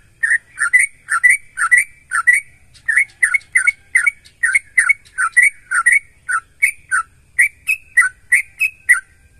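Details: Lively singing sooty-headed bulbul, played to draw other bulbuls into singing: a long unbroken run of quick, liquid whistled phrases, several notes per second, steady and energetic throughout.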